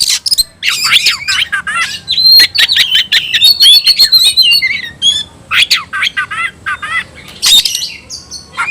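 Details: Long, rich tayoraky-style song from an oriental magpie-robin, a new variant, sung persistently with tail spread: rapid chatters, level whistles and quick warbled phrases running almost without pause.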